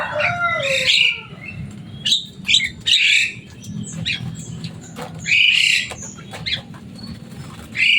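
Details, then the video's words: Javan myna, a noisy, loud-voiced bird that can mimic people, opening with a descending gurgled whistle, then a series of short harsh squawks and clicks spaced irregularly, low background hum. "Burung jalak kebo selain suaranya yang rame"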